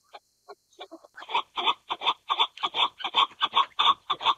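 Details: Chukar partridge, Alectoris chukar, starting with a few soft, spaced clucks, then building into a steady, loud, harsh chuk-chuk series repeated about three times per second.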